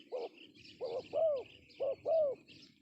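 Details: Male spotted dove calling as a lure: low hooting coos around five hundred, a short note then a longer, arched coo, repeated in two pairs over three seconds, with faint insect chirring above.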